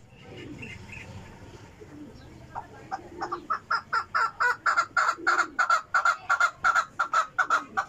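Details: Chukar call building from scattered notes into a fast, regular chain of loud clucking chuk notes, about three per second, holding strong to the end.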